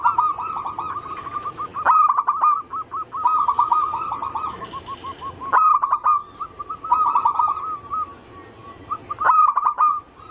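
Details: Zebra dove lure song of the anggungan type: bouts of fast, trilling coos come roughly every three to four seconds, with clicks at their starts and lighter steady cooing between bouts.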